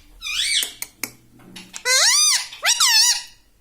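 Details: Pet rose-ringed parakeet kept indoors, trained to say words such as "Mummy Papa" and "Mitthu": a short squeaky phrase, two sharp clicks, then two loud, shrill, nasal syllables that arch up and down in pitch.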